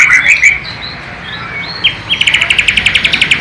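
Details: Bornean white-rumped shama, East Kalimantan, performing a sikatan londo (nightingale) imitation. Brief whistles and slurs lead into a fast, even series of loud clipped notes repeated about four times a second.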